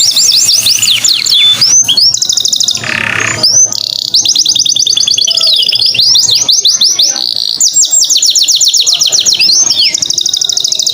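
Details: Canary singing as a training and lure recording to spur other birds to sing: fast rolling high trills of slurred notes, interrupted briefly by a short noisy burst, then resuming in long chattering tours.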